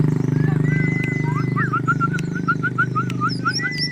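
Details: White-rumped shama showing off, giving a run of short, clear whistled notes that rise and fall around a steady pitch, opening with a long flat whistle, over a loud constant low engine-like hum.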